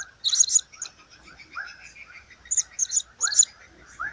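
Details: Blue-crowned hanging parrot uttering repeated clusters of sharp, shrill, very high squeaky notes, paired in quick doublets. Lower slurred chirps and faint background hiss sound between them.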